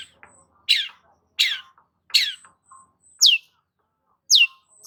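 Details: Long-tailed shrike repeating loud, harsh downslurred notes roughly every second, each dropping sharply in pitch, with soft short chips between them.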